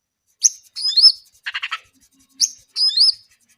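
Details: Brown-eared bulbul singing steadily: short bursts of high whistled notes with quick upward slurs, a brief run of four buzzy chattering pulses in the middle, then two more whistled phrases separated by short silences.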